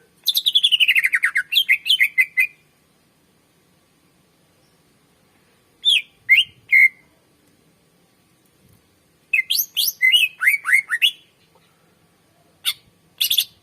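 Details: Greater green leafbird (cucak ijo) in full, long song for luring and training other birds: dense bursts of rapid, tumbling whistles and chattering notes, each burst lasting one to two seconds with quiet gaps between.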